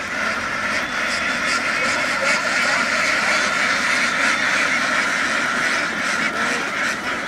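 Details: Flock of Vietnamese laying ducks rushing across a field and down onto a boat; dense, overlapping quacks in a steady chorus, with mechanical noise underneath.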